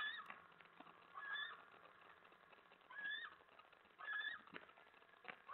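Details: Scolded by his mate over her mouse, a male eastern screech owl chitters late at night inside their nest box in February: quick bursts of rough, twittering notes come roughly once a second, over a constant low hiss.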